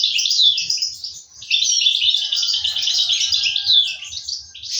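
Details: European goldfinch chicks fed by parents in an aviary in 2023; continuous shrill, buzzy chatter with a short lull near one second, then a steady intense run of twitters and faint low taps.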